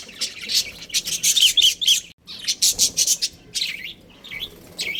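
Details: Budgerigar colony including a breeding pair, chirping busily: dense high warbling chatter with quick twittered notes, a brief pause around two seconds, then more rapid chirps and trilled phrases fading slightly toward the end.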